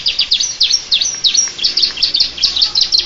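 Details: Canary singing in the style of the bar-winged prinia: fast, high, thin chirps, each a quick downward-then-upward flick, strung together in a steady, twittering stream of several notes per second.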